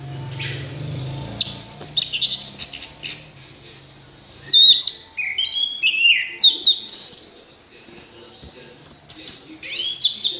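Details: Orange-headed thrush singing long energetic bouts: a dense burst of varied high notes, a pause, then rapid repeated chirps, slurs and trills continuing steadily to the end.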